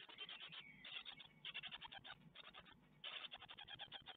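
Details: Great tit nestlings in an Ostwald nest, 12 May 2021, filmed by webcam as they are fed a spider: dense bursts of rapid, high chittering calls broken by short pauses, with faint rustling and scratching in the nest.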